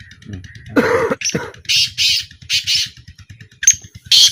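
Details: During a 2025 black francolin calling trial, a cough-like human noise comes first, then the bird's rough, buzzy notes repeat in pairs, ending with a thin whistle and a final harsh note over a low throbbing rhythm.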